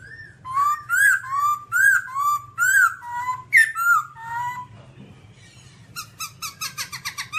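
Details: Babbler delivering a run of rolling, downslurred whistles in quick succession, a brief pause, then a burst of fast clipped chirps, with a steady low hum behind.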